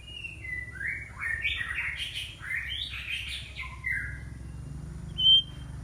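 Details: Song of a white-rumped shama used to lure rival birds, heard as blurred, echoing warbles and slurred whistles over a steady low hum, ending with one short clear high whistle.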